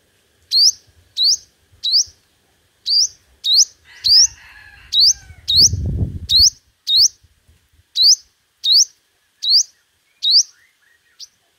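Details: Five-coloured sunbird singing competitively as a decoy: evenly spaced high upslurred whistles, about two per second, with a burst of fluttering and low rustling noise in the middle.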